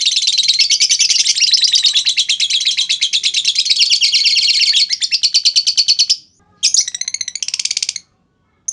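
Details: Long chattering from a lovebird, meant as a lure for other lovebirds to respond: a continuous dense rattle of high buzzy chips for about six seconds, a short silence, then another rapid burst.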